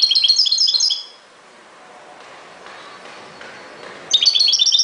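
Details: European goldfinch singing in the ghoroub style: a rapid burst of bright, tinkling twitters high in pitch, then about three seconds of near silence before a second twittering phrase begins.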